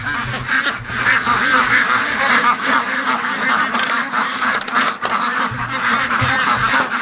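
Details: Free-range ducks during their morning rush, a crowded flock giving a dense, continuous chorus of overlapping nasal quacks and honking calls that swell and dip without pause.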